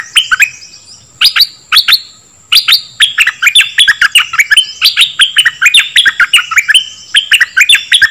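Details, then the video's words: Dok Taeng bird song, used to train young birds and excite them: fast bursts of sharp chirps sweeping down then up at mid-high pitch, with clicky high notes, packed tightly in the second half. "เสียงนกดอกแตงEp.2 ใช้หัดลูกนก เปิดให้นกคึก!!"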